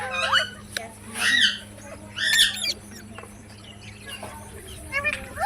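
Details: Parrot giving harsh, raspy squawks in loud bursts roughly a second apart, interspersed with thinner rising chirps and faint clicks over a low background hum.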